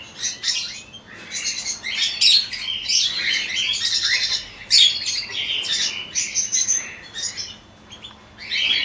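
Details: Many cockatiels of a colony chattering at once, a busy mix of high squeaky chirps and short whistles rising and falling in uneven bursts throughout.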